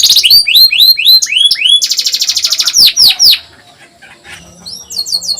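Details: Caged canary song used as a master and lure recording to train young canaries to sing: rising chirped notes in quick series, a fast buzzy trill, sweeping downslurred notes, then softer high repeated whistles.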